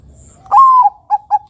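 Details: A Bangkok-type zebra dove coos one drawn-out, level whistled note, then two short, slightly lower coos about a quarter-second apart, in a quiet background; a lure recording meant to make young birds sing.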